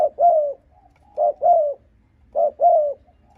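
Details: Spotted dove giving aggressive cooing used to provoke and lure wild rival males: three low, hollow two-part phrases, a short note then a longer drawn-out one, about every 1.2 seconds, in a quiet setting.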